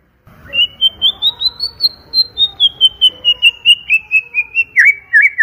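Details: White-rumped shama singing loudly and clearly: a long run of rapid, sweet whistled notes repeated evenly on a high, steady pitch, dipping slightly at the end, then ending in a few sharper falling notes.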